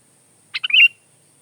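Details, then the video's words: One bright phrase of sooty-headed bulbul song: sharp clipped notes followed by a burbling, quavering whistle lasting under half a second, cleanly recorded against silence. "Kicau kutilang"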